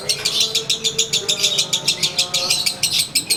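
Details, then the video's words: Sunbathing Konslet lovebird in its daily ngekek song: fast, insistent chattering of high, scratchy pulses, around three to four per second, sustained throughout with a faint hum behind. "Durasi Volume Gaya Suara ASLI Harian LB"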